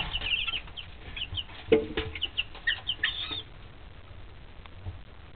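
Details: Pet chicks three weeks old give scattered high peeps, some short and rising, others dropping, spaced irregularly over a low background rumble, with a few soft thuds.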